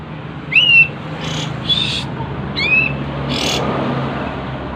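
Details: Kapas tembak in breeding condition with tail spread, giving short whistled notes that slide down and level off, with a few buzzy bursts between them.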